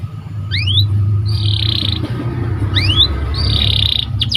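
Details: Canary singing for song training: paired rising whistles followed by a flat sustained tone, repeated twice, over a constant low hum.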